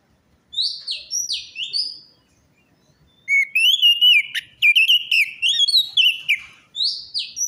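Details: Lure song of an orange-headed thrush meant to prompt a reluctant or stressed bird to sing: high, down-slurred whistles, then a long rapid run of varied fluty notes and trills, ending with more sharp whistles.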